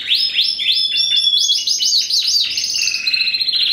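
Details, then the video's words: First-generation cross of a Spanish Timbrado canary with a wild-type canary, bred in 2015: a continuous bright song of rapid bell-like rolls and trills, with fast repeated descending notes running into steady metallic rattles. "Timbrado Español x Serinus Canaria"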